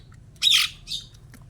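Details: Pet starling kept for four years gives two harsh, broad squawks, the first loud and about a quarter-second long, the second softer and shorter, with quiet background between.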